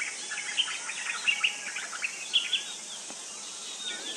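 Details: A shy, fruit-eating White-browed bulbul calling in the open gives quick, bright chattering notes in irregular bursts, over a steady high hiss of insects.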